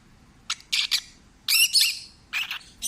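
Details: Pet peach-faced lovebird, a rescued stray, in a contented singing mood: scratchy high squawks and chirps, some paired, then longer harsh chattering phrases, with faint room noise underneath.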